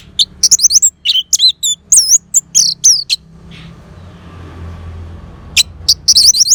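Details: Orange-headed thrush song for coaxing a silent bird: loud, fast series of high, looping whistled chirps, a quiet break with a low rumble, then rapid notes again at the end.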